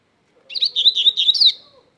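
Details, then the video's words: Double-collared seedeater singing strongly: a brief, energetic phrase of rapid buzzy warbled notes, about five linked syllables packed into just over a second, with a faint low hum underneath. "coleiro mateiro cantando forte"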